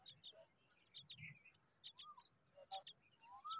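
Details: Common myna chicks, hungry and waiting for their mother, give high harsh paired chips. Soft rising whistled notes and a low murmur are mixed in with them.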